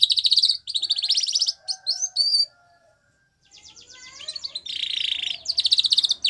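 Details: A white Spanish Timbrado canary sings training song: fast, high, rattling trills and rolls in short bursts, a brief silence, then a buzzy metallic roll and more bright trills.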